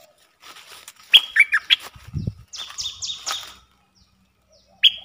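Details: Loud, abrupt chirps from a streak-eared bulbul alternate with a quick series of three high downward-slurred notes. A short low thump falls between the phrases.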